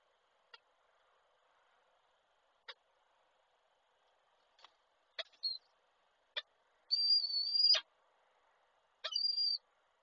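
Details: Male peregrine falcon at Koszalin calling to the female, 8 March 2023: scattered sharp clicks, then a short thin high note, one drawn-out strained high call lasting nearly a second, and a final shorter high call.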